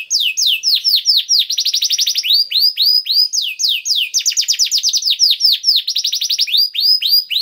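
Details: Canary song used to prompt other canaries to sing: continuous high varied phrases of rapid repeated sweeping notes, downward slurs alternating with fast trilled rolls, no gaps and no other sounds.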